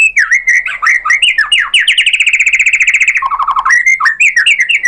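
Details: White-rumped shama singing to provoke other birds: nonstop rapid phrases of looping whistles, a long fast trill of evenly repeated notes, then lower descending notes and more slurred whistles.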